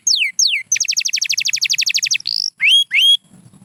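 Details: White canary sings two long falling whistles, then a fast, even trill of short notes, a buzzy burst, and two rising whistles ending in held tones.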